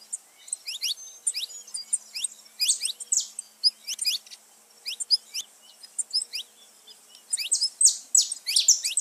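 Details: Saffron finch song for stimulating pet birds. Irregular clusters of high upswept chirps are separated by short gaps, and a dense, bright burst comes at the end.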